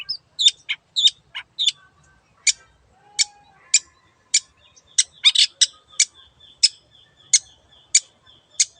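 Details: Long-tailed shrike singing to prompt a quiet bird to join in. A few quick doubled chirps open the song, then single sharp high ticks follow about every half second to second, with one brief cluster of notes.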